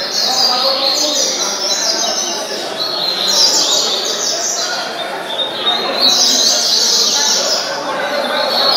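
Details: A novice double-collared seedeater sings a fast, continuous run of high, sweet chirps and twittered phrases, without pause for the whole stretch.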